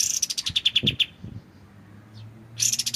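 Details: White-shouldered triller singing a quick trill of high notes that starts higher and drops to a steady pitch. Soft low thumps are heard, then a pause, then another fast high burst. The recording is meant for tutoring magpie-robins.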